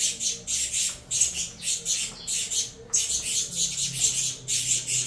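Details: Feeding time for captive saffron finch chicks of a Venezuela CMA x CVK 103 cross: harsh, high, hissing begging rasps in quick pulses, a brief pause around two seconds.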